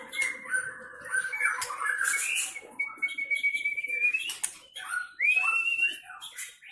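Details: White-rumped shama of the Medan type, a contest bird being prepared for the 2019 President Cup, whose fast song carries mimicked fill-ins of cililin, canary and lovebird: varied whistled phrases, a long level whistle, then quick rising and falling slurs.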